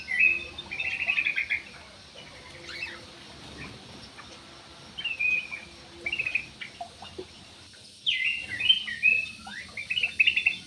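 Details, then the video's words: Jumbo parakeet kept in an aviary: scratchy chirped bursts come in clusters separated by short pauses, with several overlapping warbles near the end and a faint low hum behind. "PARKIT JUMBO"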